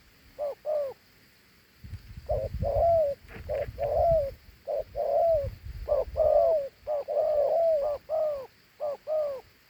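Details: Two-note coo from a large Thổ Hú dove: a pair of hoots, a pause, then repeated soft falling coos in bursts, with low rumbling noise in the middle section.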